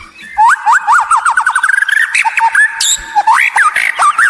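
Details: Loud, rich white-rumped shama song serving as a lure to set other birds singing: a rapid rattling series of downslurred notes flowing into varied whistles, chatter and looping phrases.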